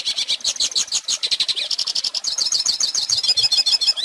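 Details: Song of a Hooded Siskin played to teach young birds: rapid, chattering twitter of high warbled notes, shifting into quicker, sharper trilled phrases toward the end, with no other sounds.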